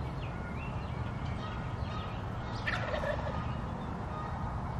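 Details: Wild turkeys in an unexpected sighting: a single brief, rattling gobble burst rises out of a steady low rumble near the three-second mark, with faint thin higher calls scattered earlier.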